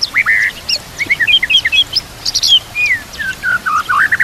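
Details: White-rumped shama song used to train caged birds: rich varied whistled phrases, slurred notes and short chirps in quick succession, ending with a climbing cluster of rapid whistles.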